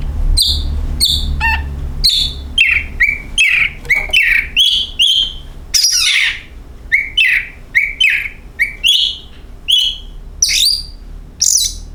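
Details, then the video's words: Lure recording of oriental magpie-robin song meant to set birds singing: a fast string of short varied whistles and chirps, about one a second, some sliding downward, a low hum beneath. "Pancingan Kacer"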